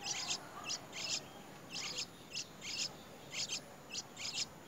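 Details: Young white-browed birds beg with harsh, hissing rasps in quick bursts, about one a second, high and scratchy, over quiet hiss, as a parent brings a very large insect to feed them.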